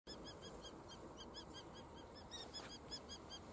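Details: Two wild female Common Kestrels fighting at the Noordduinen near Den Helder, Netherlands: a rapid, steady series of sharp, high, repeated kee notes running throughout, over a constant broad background hiss.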